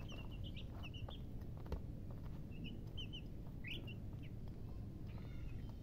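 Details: Chicken chicks cheeping in bursts of rapid high chirps, including one sharper rising note, amid a low steady hum and a few light knocks.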